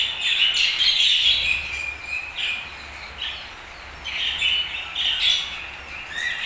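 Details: Budgies chirping in quick, uneven runs of high squeaky notes and brief whistles, the chatter rising and falling in loudness.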